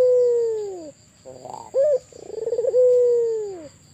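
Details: White albino Barbary dove in full voice, giving a long low sustained coo that sags at the close, then a rippling trill, a brief upslurred note and another drawn-out falling coo; a thin constant high-pitched hum underneath.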